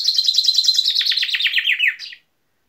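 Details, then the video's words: Loud chaffinch song, a cascade of rapid, crisp notes dropping gradually in pitch over two seconds and closing with a short separate flourish, then silence. "İspinoz sesi"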